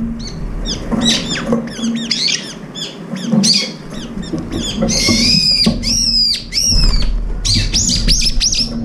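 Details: Brown-eared bulbuls crowd in to eat, quarrelling and driving each other off with their beaks. Rapid chattering squeals give way to long, loud, descending shrieks in the later half, over a low hum.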